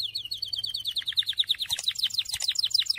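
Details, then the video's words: Canary song, described as Syrian, given as a fast run of repeated high chirped notes, about three per second, shifting midway into quicker paired, sweeping syllables. "تغريد كناري السوري"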